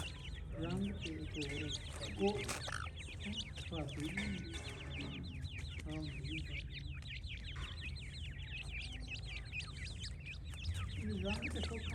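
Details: Francolin chicks, several together, giving a steady chorus of thin, high, down-slurred peeps that overlap constantly, with a few lower chirps and a low background hum.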